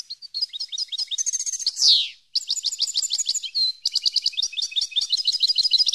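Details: European goldfinch song used for training captive birds: fast twittering runs of high, clipped notes, trilled phrases and a loud descending buzzy rasp near the middle, followed by more rapid repeated chips.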